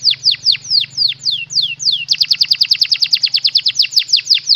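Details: Canary song meant for a lovebird to imitate: loud, evenly spaced descending sweeps, then a faster burst of sharp repeated notes at about eight per second, with a low steady hum beneath.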